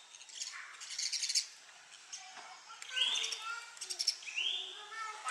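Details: Sparrow attacking its own reflection in a mirror, treating it as a rival for territory; bursts of rapid tapping against glass early on, then two clear upward-sweeping chirps midway and near the end.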